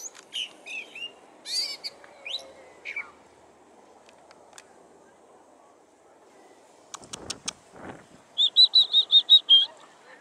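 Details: California thrasher at Cabrillo Point: scattered varied phrases of scratchy and slurred notes, a quiet stretch with a few low thumps, then a fast run of about eight identical sharp notes, roughly three per second.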